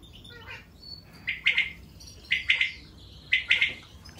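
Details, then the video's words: Budgerigars calling: three bursts of harsh, chattering chirps spaced about a second apart, with faint softer warbling between them. "Волнистые попугаи"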